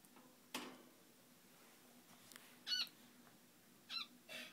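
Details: A male zebra finch gives a few short, nasal, squeaky beeps over a low hum.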